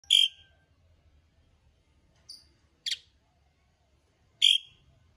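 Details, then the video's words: Asian pied starling giving four loud, harsh whistled notes with grating overtones, spaced a second or two apart; a faint low hum lies underneath. "Jalak suren gacor"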